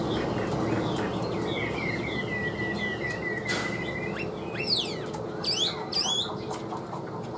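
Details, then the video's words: Chinese hwamei kept in a cage, about 85% tame, whistling a string of rising notes for a few seconds, then shifting to sharp, fast chirps and clicks against a low background hum. "Siêu mỏ ra giọng rất đều - Họa mi đẹp hót hay"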